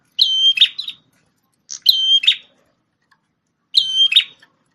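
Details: Red-headed prinia, formerly kept as a tutor for a magpie-robin, repeats three phrases of a ringing high whistle ending in buzzy notes, roughly every one and a half to two seconds, with a brief chip before the second.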